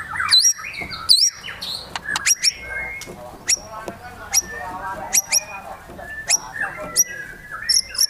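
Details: White-rumped shama in high excitement, delivering sharp high clicking notes repeated irregularly with short hooked whistles between, over a faint background hiss.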